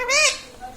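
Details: Pet parrot said to talk, saying words such as mummy and papa; a single short harmonic utterance that rises and then falls, lasting under a second, indoors.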